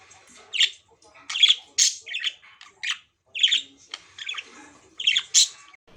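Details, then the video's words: Several pet budgies calling in lively bursts, harsh squawky chirps and short warbles spaced unevenly across the clip, with quiet gaps between. "Budgies Crazy Chirp Sounds"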